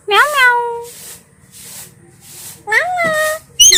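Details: A talking parrot kept as a pet says two drawn-out words, each rising then holding steady, with soft hissy noise in the pauses between them and a sharp click at the end.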